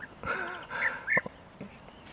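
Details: European bee-eater calling close by at a pond at Cabranosa, Sagres, Portugal, on the morning of 14 May 2023: its typical call, two rolling, slightly burry notes close together, then a short clipped note, against a soft outdoor background.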